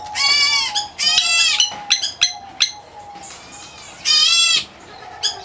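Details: Harsh, raspy bursts from an aviary White-headed Black Bulbul chick of the Indian-area subspecies, two in quick succession, then scattered clicks and one more loud call.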